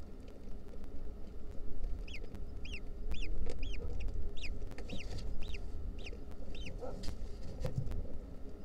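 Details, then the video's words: Wild lesser kestrel chicks, fed a centipede, give a run of about eight shrill, arched squeals, roughly two per second, over a heavy low rumble of wind. "Centipede lunch for the Lesser Kestrel babies"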